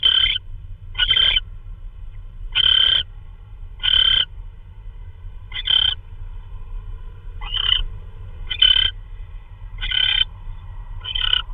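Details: Owl bringing in prey, perhaps a vole, at night on March 16 2013, 3:12 AM. Ten grating, hoarse screeches come in an uneven series, some close together and some spaced out, over a continuous low rumble.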